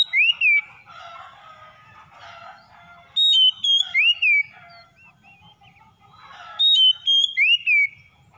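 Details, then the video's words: Oriental magpie-robin song played as a lure for a reluctant singer: three loud bursts of sharp whistled notes, one about every three seconds, with quieter scratchy chatter between them. "SEKALI PANCING KACER SUSAH BUNYI LANGSUNG ON IKUT GACOR"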